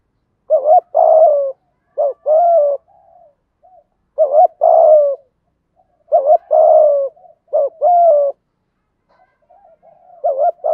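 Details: Spotted dove, male and female, cooing to lure wild birds; low hooting coos in phrases of two short notes and a longer falling coo, repeated with short pauses, clean background.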